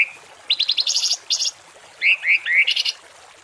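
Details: Songbird training recording with harsh 'tembakan kasar' phrases for cage birds: a brief whistle, quick rattled high notes in two bursts, then three swooping upslurred chirps followed by a short buzzy trill.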